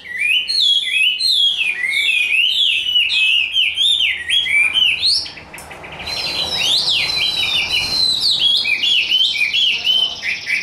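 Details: Caged Chinese hwamei, tame and large, performing a fighting display, sings quick zigzag whistled notes, a brief quieter pause, then resumes with bright looping phrases.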